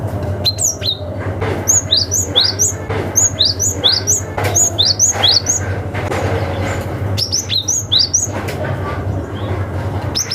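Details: Cinereous tit with a forest-style call aimed at rivals, a lure for young forest birds: repeated pairs and triplets of high, sharp chirps, about two groups per second, over low background hum.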